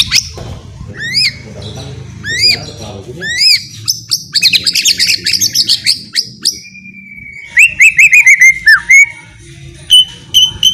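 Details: White-rumped shama, ngeriwik style, meant to stimulate shamas to sing: sharp downswept whistles repeated every second, a dense buzzy chatter, then a long, steady whistle breaking into a quick trill and spaced pure notes.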